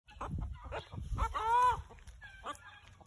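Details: Domestic Brahma rooster, kept with guinea fowl and chickens, calling: a brief arched, nasal, harmonic note after low clucks and rustling, then a short rising tail note.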